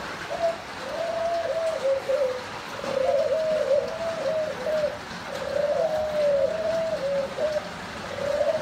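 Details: Thai-type spotted doves, a successfully paired breeding male and female; soft, low cooing phrases of wavering, slightly falling notes repeated in three runs, over steady background hiss.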